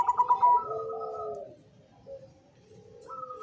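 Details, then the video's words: Zebra dove, black cemani variety, in song (manggung): the clip opens on the tail of a rapid pulsed coo, then long, smooth, slightly falling tones, a quiet pause, and a further soft sustained note. "Suara Merdu Perkutut Cemani Manggung"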